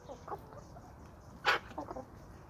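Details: Homestead chickens and roosters in a small suburban flock on sandy soils in Toxandria; a few short harmonic clucks, then one loud burst of sound mid-way, followed by softer clucking notes, over a steady background hiss.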